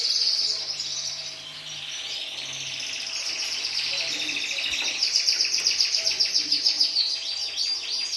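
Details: Syrian canary delivering a long, high rolling trill, then a rapid run of evenly repeated sharp notes at about four per second, with faint background hum.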